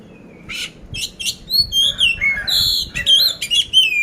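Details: Oriental magpie-robin of the poci type from Magelang, Central Java, Indonesia, singing a competition-ready gacor song with coarse fill notes: loud, varied whistles and sharp buzzy bursts, with short slurred phrases crowding densely one after another.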